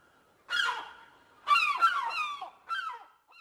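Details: Gull cries: a drawn-out nasal wail, then a longer laughing series of harsh descending notes, and a shorter cry to finish, with quiet gaps between.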